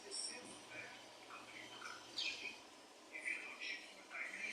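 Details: Budgerigars singing, a varied, busy chatter of squeaky chirps, rising whistles and raspy notes, uneven and continuous with brief louder bursts, heard softly against a faint room hiss.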